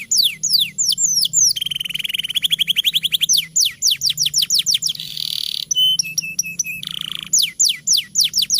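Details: Long, lively canary song played to stimulate raw or silent canaries to sing: series of sharp falling whistles, a steady rapid trill, a buzzy chattering passage and a low rolling phrase before the falling whistles return.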